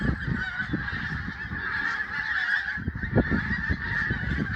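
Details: Geese in a flock at sunrise near Prestatyn honk constantly, many voices blending into a steady, clamorous din over a low, buffeting background rumble.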